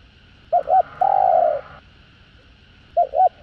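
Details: Spotted dove giving a full set of 'giọng hạp' cooing, covering calling, urging and soft crooning styles. Two quick low coos lead into one long sustained mellow coo, then another pair of short coos follows. Faint background hum.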